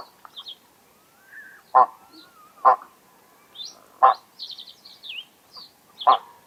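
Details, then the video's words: Greylag goose calling in a few spaced, clipped honks roughly a second or more apart, while small birds twitter and chirp in high, thin notes around them. "SOUND OF A GREYLAG GOOSE 🔊 What does a greylag goose sound"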